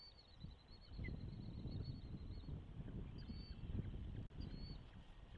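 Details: Osprey at the nest in Charlo, Montana, as the first chick hatched, from a nest camera: a rapid run of high chirps, then two separate slurred whistled notes, with loud wind rumble throughout.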